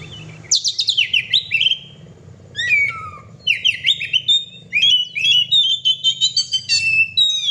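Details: Pet oriental magpie-robin in lively song: quick cascades of falling whistles, separate sharp slurred notes with short gaps, then a sustained run of rapid chattering and whistled phrases near the end; soft background hum.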